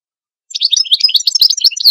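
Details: After a short silence a goldfinch breaks into a steady, rapid stream of high, tinkling, twittering notes with trills and buzzy slurs, continuing to the end, with no background noise.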